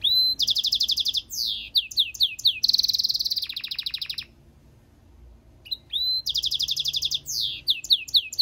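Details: Goldfinch-canary mule singing in an aviary setting: bright high phrases of rapid trills, descending slurred notes and a buzzy rattle, pausing near the middle before a rising whistle restarts the song.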